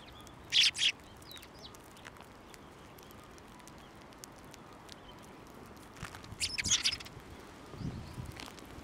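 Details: Sparrows flying onto a hand to be fed at a Tenmangu shrine on 29 January 2024; two brief bursts of sharp, high chirps, one early and one later, over soft outdoor background noise.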